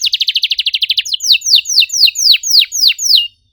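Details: Canary singing in a lure recording meant to start non-singing canaries: a quick buzzy trill of about twelve notes, then a slower run of long, high, descending whistled sweeps.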